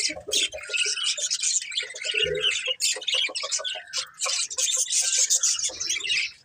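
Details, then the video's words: Budgerigars chatter with dense scratchy chirps and squeaky twitters, punctuated by lower clicking notes, continuous and lively throughout. "Cute Budgies Chirping Sounds"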